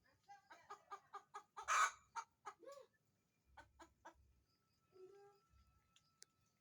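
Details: Chicken cackle: a rapid run of short clucks builds into one loud, harsh squawk, followed by a few more clucks and a drawn-out lower note. Then it fades to quiet with a faint hum.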